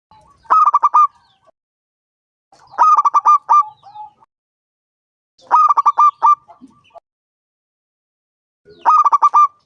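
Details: Five-year-old local zebra dove with a large voice, used to draw other doves into song: four rhythmic phrases of clipped coos ending in a sustained note, repeated roughly every two to three seconds.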